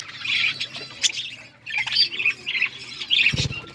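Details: Budgerigar flock eating food, likely kept in an aviary: bursts of squawky, buzzy chatter in short overlapping phrases, pausing briefly between bursts, with a low thud near the end.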